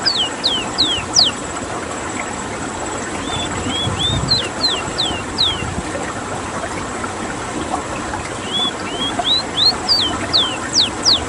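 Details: A rare Suriname rowti, or ruddy-breasted seedeater, rolling its song: bursts of high slurred whistles, steep downward sweeps alternating with short rising notes, delivered in several quick phrases separated by brief pauses, over steady background noise.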